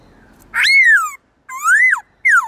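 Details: Pet black-throated laughingthrush's forest-style song: a harsh onset into a long down-slurred whistle, a rising-then-falling whistle, and a final falling note.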